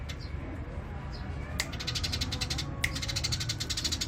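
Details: Eurasian tree sparrow with natural rolling song: faint chirps at first, then from mid-recording dense fast series of high dry chirps over steady low background noise.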